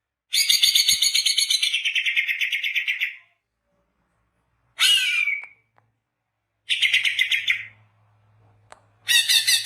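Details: Greater green leafbird in full, active song, recorded for luring birds: a long rapid chattering, buzzy trill of about three seconds, then a sharp downslurred squeal, another chattering burst and a final rough trill, separated by silent gaps.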